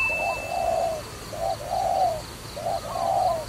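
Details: Dove kept for trapping coos in low, rounded pairs, a short note then a longer hummed one, repeated about every second and a half over a faint high tone.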